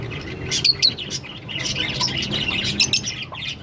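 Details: A pair of green Fischer's lovebirds chatter in a busy stream of shrill, squeaky chirps and harsh little squawks, high-pitched and nearly continuous, with a low room hum beneath.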